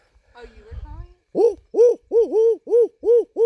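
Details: At night under a full moon at an arboretum, a barred owl calls back to imitated hoots with a fast run of about six loud, arched, mid-pitched hoots, roughly three a second, after faint human voices.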